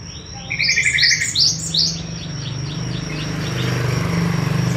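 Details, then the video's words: Java sparrow of the wingko type from Madiun, singing actively in a long rolling song: a quick run of buzzy chirps and then a string of high, rising, clipped notes repeated about three times a second, over a steady high whine and low rumble. "Gelatik wingko gacor ngerol panjang"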